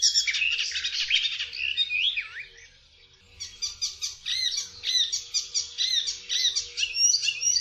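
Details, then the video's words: Icterine warbler in rich, jumbled song: a dense opening of squeaky warbles and a down-slurred whistle, a brief pause, then rapid repeated chirping notes in clipped sequences. "Zaganiacz zwyczajny.Odgłosy i dźwięki jakie wydaje Zaganiacz zwyczajny.Jak robi Zaganiacz zwyczajny?"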